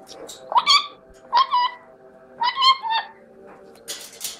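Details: Chestnut-fronted macaw (Ara severus) uttering three short, nasal, rising-and-falling harmonic phrases about a second apart, then a brief hiss at the end.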